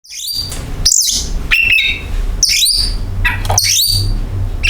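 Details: Oriental magpie-robin song used as a lure to get kacer birds singing: sharp, high chirps and squawky notes with rising and falling sweeps, over a steady low hum and background noise.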